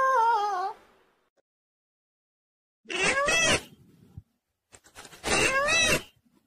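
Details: Pet parrot talking: a wavering harmonic tone at the start, then two loud, speech-like bursts with warbling, rising and falling harmonics around three and five and a half seconds, separated by silence.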